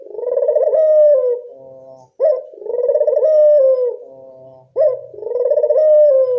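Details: Lure call of a local Barbary dove for attracting doves: three rolling, throbbing coos roughly every two and a half seconds, each ending in a quiet low buzzy trail.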